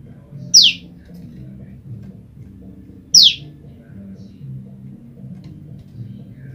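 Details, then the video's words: Female olive-backed tailorbird calling again and again for its mate after being separated from the male; two sharp, high, downward-sweeping notes about two and a half seconds apart over a low steady hum. "prenjak lumut betina memanggil pasangannya"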